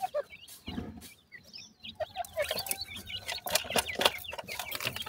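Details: Francolin chicks feeding and playing in the evening: high, thin peeps and short downslurred chirps from several chicks, scattered irregularly over rustling and tapping noises.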